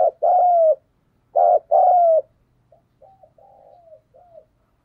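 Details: Spotted dove cooing to stimulate other doves to coo: two loud paired phrases of a brief throbbing note and a long falling coo, then several faint, softer, broken coos trailing off.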